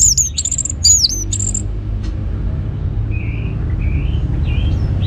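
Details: Orange-headed thrush used as a provoking song for other birds: a quick string of very high, thin, sharply slurred whistles in the first second and a half, followed by faint softer warbles amid low background noise.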